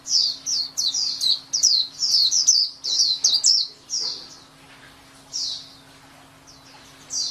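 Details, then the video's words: White-eye pouring out rapid high chirps for about four seconds, roughly two notes a second, then falling quieter with a few scattered twitters and a low background hum. "SUARA MAHAL KICAU BURUNG PLECI"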